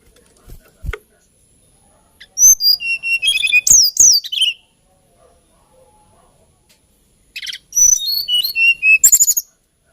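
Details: Lilting song of the hill blue flycatcher (Cyornis banyumas): two separate phrases of high, rapid whistled notes with sweeping downslurs, about five seconds apart, in an otherwise quiet setting.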